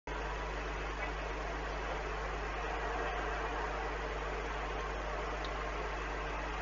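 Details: Steady electrical hum and broadband hiss fill the whole stretch, with no animal voice standing out.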